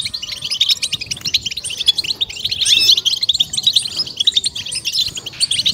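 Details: Continuous fast twittering of a European goldfinch, used to stimulate and excite goldfinches: high, liquid chirps and trills packed closely together.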